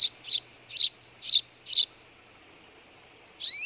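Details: Eurasian tree sparrow, a partial albino, calling with a run of five loud, harsh chirps about every half second, then a pause; a thin rising whistle from another bird enters at the end.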